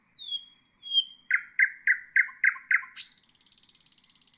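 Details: Nightingale singing for bulbuls to copy: a long falling whistle, then six evenly spaced loud notes about a quarter second apart, then a fine, high, buzzing trill.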